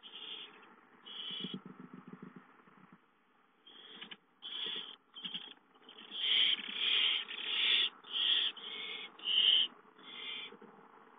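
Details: Owls at a nest with prey brought in: a run of irregular hissing bursts, softer and scattered at first, then louder and closer together, roughly one and a half per second.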